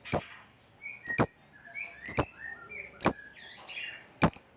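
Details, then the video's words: Shrill single and doubled chirps from a lovebird, spaced about a second apart, with faint twittering and short squeaks in the gaps; a lure to make other lovebirds sing. "Lovebird Gacor Ngekek Panjang Ini AMPUH Memancing Lovebird apapun Jadi Fighter dan Rajin Bunyi"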